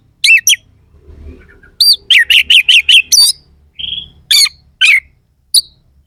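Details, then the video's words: Oriental magpie-robin pouring out rough "isian kasar" song used as therapy for contest kacer: a quick string of six bright chip notes, a short whistle, then separate harsh squeaks. "Suara kacer gacor NEMBAK ISIAN KASAR/Bikin semua KACER jadi EMOSI"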